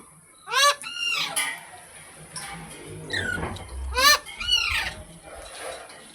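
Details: Green parrot calls, sharp harmonic squawks in pairs, rising above a noisy background with low rumbling sounds in between.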